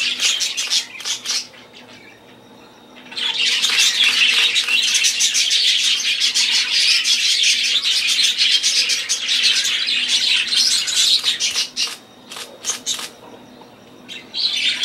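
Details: Budgerigar chatter in bursts: scattered chirps open, then a loud stretch of dense high warbling and squeaky twitters from several birds, fading back to sparse chirps and a final burst.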